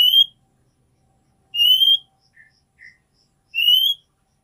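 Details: Female oriental magpie-robin calling a male, used to raise his breeding urge; three pure, rising whistles about two seconds apart, with two faint, short lower notes in the gap.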